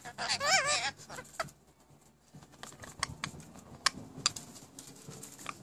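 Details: Pet rainbow lorikeets, recently acquired, give one loud warbling, wavering squawk, followed by quiet clicks and scattered soft ticks.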